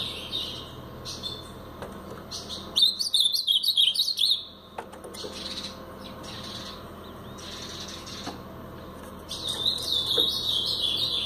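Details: Blue-black grosbeak, brown-plumaged, singing a Paraná-type song in two bursts of fast, high, jumbled warbling notes, separated by quiet stretches with scattered clicks and soft chirps.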